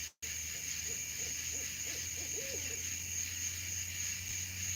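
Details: Owls calling close by at night, two birds present: a short series of soft, low hoots, some with a rising-then-falling shape, repeated irregularly over a steady hiss and a high constant electronic whine.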